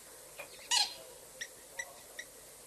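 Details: A Purple roller at Tau Waterhole, South Africa, on 14 August 2022 at 3:30 PM, gives one loud, harsh, grating squawk, followed by three or four brief, faint higher notes about half a second apart.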